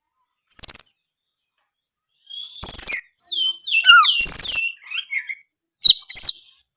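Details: Caged white-rumped shama singing to make other shamas answer: short harsh high bursts, a sequence of descending slurred whistles, and a few closing chips with silence between phrases.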